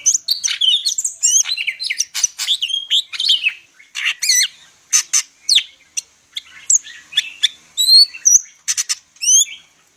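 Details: Greater green leafbird of the Medan type in full song packed with varied phrases: rapid whistled slurs, sharp chips and rising and falling notes, delivered in dense bursts with brief gaps.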